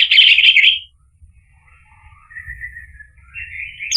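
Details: Orange-headed thrush song played to coax a reluctant bird into singing: a loud burst of dense rapid notes, then soft low wavering buzzy tones that rise again at the end.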